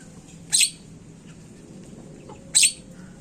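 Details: Javan myna (jalak kebo) lure recording to make birds call fast: two abrupt, raspy shrieks about two seconds apart, with quiet gaps of low hum between them.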